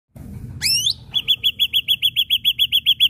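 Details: Ashy drongo in lively song: a rising harmonic whistle slurs upward, then a rapid string of about fourteen short, clipped whistled notes repeated evenly several times a second, with faint low background hum.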